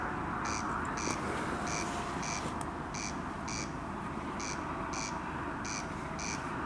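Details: A corn crake calling at night over Lake Powsinkowskie, 20 June 2021, repeats its dry, rasping double crake about twice a second, over a steady low rumble of distant traffic.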